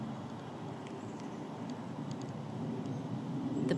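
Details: Steady low engine rumble from a vehicle, growing slightly louder toward the end, with a few faint clicks and a short rattle at the close.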